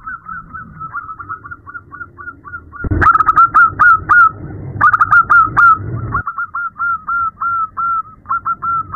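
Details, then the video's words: Night calling of a female zebra dove to a male: rapid runs of short curved cooing notes, louder stuttering bursts in the middle, then steady repeated notes again over faint low noise. "Terapi perkutut malam hari | suara betina memanggil jantan"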